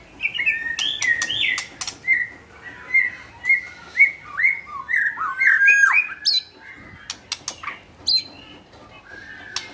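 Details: White-rumped shama in energetic (gacor) song: a steady series of bright, bent whistled notes about two per second, rising into a louder flourish, with scattered sharp clicks.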